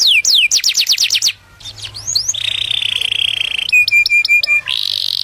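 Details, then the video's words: Canary song aimed at attracting a mate: quick descending slurred notes lead into a sustained buzzing rolled trill, then a short row of crisp staccato chips and another dense trill. "كناري يغرد لتزاوج"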